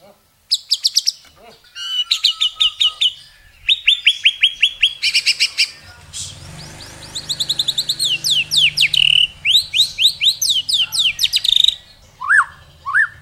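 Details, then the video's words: White-rumped shama performing a varied masteran song with long bursts: rapid repeated high chips and trills in fast rhythmic series, sliding rattles, then two short rising whistles at the end, over a faint low hum. "Masteran Murai isian mewah tembakan panjang panjang super pedas | shama bird song"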